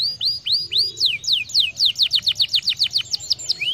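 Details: Singing canary, used to encourage birds to sing: rising whistled notes speeding into a fast, steady series of repeated downswept whistles, about four per second, bright and high.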